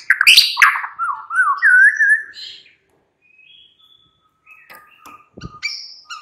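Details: Afternoon song of a white-rumped shama, played to spur a caged bird to sing: a harsh opening burst, a wavering whistled phrase, then near silence broken by faint clicks and a short high whistle.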